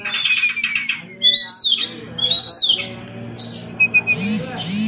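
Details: Oriental magpie-robin song used to provoke a quick response from other birds: rapid chattering notes, then clear upslurred and arching whistles about once a second, with faint background sounds.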